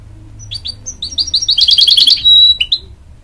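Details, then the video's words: Song of a hybrid goldfinch bred from a canary and a goldfinch, sung to encourage young chicks: a few spaced chirps speeding into a fast, rolling trill, then a long sustained pure whistle and a final chirp. "A Hybrid Goldfinch Sings To Encourage Young Chicks"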